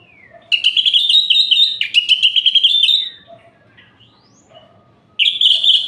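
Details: Orange-headed thrush singing, played at night to provoke other males: a fast, rich stream of whistled and chattering notes lasting several seconds, a short quiet gap with soft notes, then another loud whistled phrase begins.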